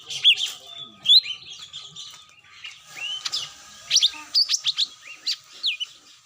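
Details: Lure sound of the cucak mini, meant to make birds come down: scattered bright chirps and rising whistled slurs, sparse at first, then a denser run of sharp tweets toward the end.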